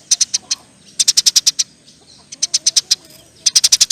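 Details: Chattering Eurasian tree sparrow in nyerecet song, giving sharp high chirps in quick groups of four to seven with brief gaps between.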